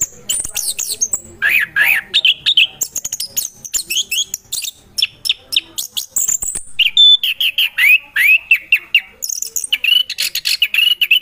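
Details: An orange-headed thrush, named in the title as Geokichla interpres, sings a rich, varied run of whistled and rising phrases broken by sharp clicks and chips, almost without pause and high-pitched throughout.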